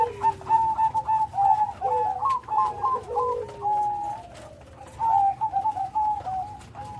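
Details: Bangkok-type zebra dove, a strong-voiced bird singing a full rhythm: clusters of quick, bubbling, trilled coos at a mid pitch, broken by short pauses, with a lower drawn-out coo beneath and faint clicking taps in the background.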